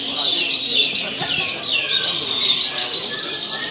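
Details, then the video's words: At a bird song contest, a Javan bush lark hung on the pole pours out a dense, lively song with a varied fill, mixing sweeping whistles with quick buzzy chirps in a steady stream. "Branjangan Jawa Gacor Isian Mewah Saat di Gantang"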